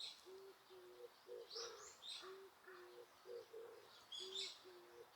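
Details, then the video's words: Osaka Castle Park, Japan, with noise reduction: a low, rhythmic cooing note repeats about twice a second, with high chirps and a brief whistle scattered above it. "大阪城公園 鳥の鳴き声"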